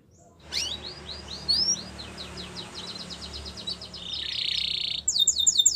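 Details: Yellow Belgian canary song against background hiss: rising sweeping whistles in a quick series, then dense rapid clicks, a buzzing trill and a harsh chattering burst at the end.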